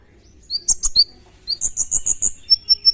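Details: Song of an olive-backed sunbird in full 'tembakan' style: a few sharp rising chips, then a rapid string of about six very high ringing notes, ending with three thin level whistles.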